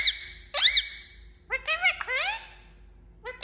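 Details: Indian ringneck parakeet talking and making sounds: harmonic, speech-like squawks with rising and falling tones in short bursts, separated by brief pauses in a small room.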